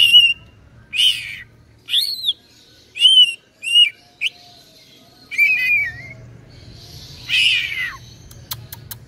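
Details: Caged cucak ijo, a green leafbird from East Java, delivers clear whistled notes about once a second, some slurred and buzzy, ending in a rough burst and a few clicks.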